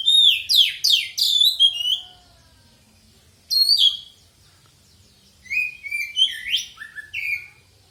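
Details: Kacer poci, the oriental magpie-robin, singing in a lure recording meant to stimulate singing: rapid bursts of varied high whistles and chirps, then a brief phrase, a pause, and a final run of slurred, descending notes.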